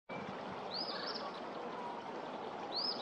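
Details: Eastern phoebe calling in late February, February 23, 2024, at Pawnee Prairie Park: two brief high arching notes about two seconds apart over the steady rush of flowing water.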